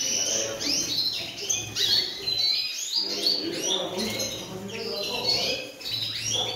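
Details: European goldfinches from a collera singing in a continuous liquid twitter, with rapid chirps and tinkling trills that tumble over one another, alongside a soft low murmur beneath, possibly voices.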